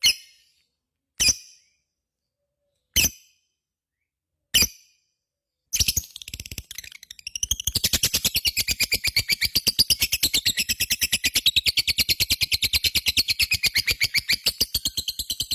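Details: Lovebird ngekek: four spaced, sharp single chirps, then a dense, very fast, buzzing chatter of high notes that builds and keeps going for about eight seconds.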